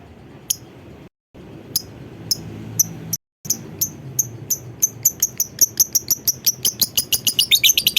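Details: Lovebird giving a long ngekek call used as a lure to get other lovebirds calling: thin, high chirps that start sparse and speed up into a rapid, steady, accelerating chatter, over a low background hum.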